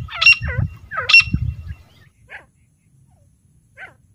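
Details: Female grey francolin (teetar) calling: two loud, harsh, shrill notes with descending looping tails, then two faint short notes trailing off, low rumble beneath.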